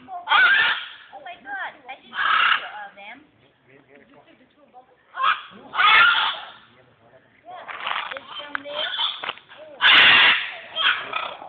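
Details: Macaws in Guatemala, in 2010, give harsh, raucous squawks in loud bursts every two to three seconds, with quieter chatter between them.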